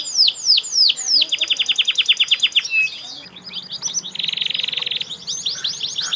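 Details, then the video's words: Canary singing: a few swooping whistles, a rapid even series of short notes, a brief lull, then a dense buzzy trill and more falling whistled phrases. "kenari gacor"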